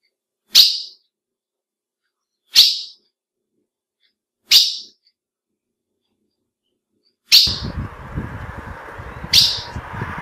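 A female ultramarine grosbeak gives a sharp, high chip about every two seconds, five in all; a rumbling background noise starts partway through.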